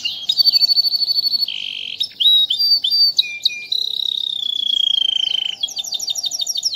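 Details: Melodious, crystal-toned non-stop song of a Starblue canary fed an ordinary herbal mix; loud and clear, with fast pulsed rolls, long ringing whistled trills that glide downward, brief sharp notes and a closing rapid chatter.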